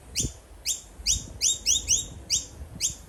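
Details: Baby Noisy miner in Australia calling insistently to its parent: nine loud, high, upslurred chirps in three seconds, quickening in the middle with some calls nearly doubled, over a clean background.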